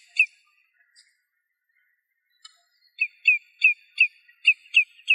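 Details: Common redshank singing in Greece: clear, ringing downslurred whistles, a few spaced notes then a quick series of about eight, roughly three per second.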